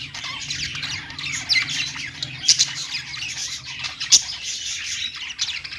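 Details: Budgies on a perch keep up a rapid, high chattering song of squeaks and chirps, with a few piercing notes standing out.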